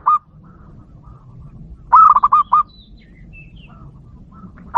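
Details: Local zebra dove (perkutut) in kerot and bekur song, played to provoke rival doves; one full rolling phrase of five quick cooing pulses, with brief soft coo fragments before and after over a low rumbling background.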